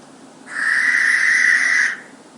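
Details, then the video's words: Barn owl in the UK, a bird that hunts over fields, farmland and long grass and is heard from dusk into evening: one long, harsh, hissing screech of about a second and a half, not a hoot. "it's almost a screech noise"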